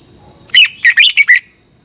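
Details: {'text': "Red-whiskered bulbul, Thailand, in the 'phleng boen' double song used to teach birds to count phrases: a single quick phrase of five rich, rolling, falling whistles over a constant thin high hum."}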